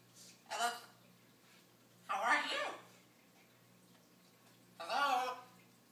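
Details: Pet male blue-and-gold macaw indoors, singing in his own way and talking: three harsh, voice-like bursts spaced about two seconds apart, each rasping and broad, with quiet room hum between.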